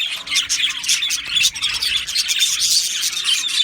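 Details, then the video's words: Australian budgies chirping in a colony aviary on 12 July 2025: fast, jumbled tweets and squeaks overlap from several birds in a lively, high-pitched babble over a faint steady hum. "Australian Budgie Chirping Sounds"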